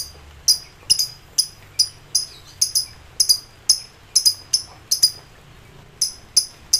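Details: Excited lovebird in ngekek song, calling to rivals: sharp, high, ringing chirps repeated irregularly, roughly two or three per second, with short gaps and a quiet background.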